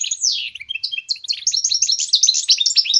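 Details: Goldfinch mule, a goldfinch hybrid, in a continuous rapid twittering song of high, sliding chirps and buzzy notes with no pauses, used as a training song for songbirds.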